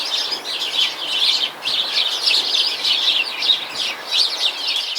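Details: A flock of house sparrows in Hampshire, UK in 2020 chatters nonstop in dense overlapping cheeps and chirps that rise and fall in busy bursts; such chattering is heard especially towards dusk, when the flock gathers in bushes.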